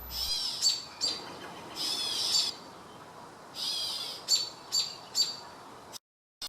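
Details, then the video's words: American robin in woods, seemingly responding to calling gray catbirds, gives high, hissy, scratchy call bursts, some with a thin whistled note, in short clusters about every second, over a soft outdoor hiss. "Check out the robin. It seems to be responding to the calls also."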